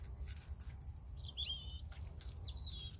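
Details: European robin song with varied high, thin phrases: a brief whistle, then sliding twittery notes and sharp high squeaks in quick succession, against a low continuous rumble.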